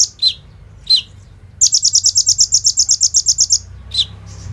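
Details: Sunbird (kolibri ninja) in full song, 'bren rambatan AK-47' fill, phone recording meant as a training lure: scattered sharp descending chips around a two-second machine-gun trill of high, buzzy, evenly spaced notes.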